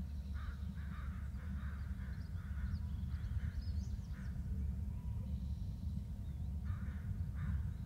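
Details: Adult bald eagles exchange a quick run of raspy squeals, then fall quiet before a final pair of calls, with a continuous deep rumble of wind underneath.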